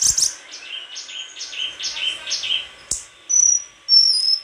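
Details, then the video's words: White-throated flycatcher song of high, buzzy repeated notes in a steady string, followed by short pure whistles held on one pitch; a single sharp click midway and a light constant background hiss. "Sikatan krongkongan putih suara gak kalah sama burung kicau lain"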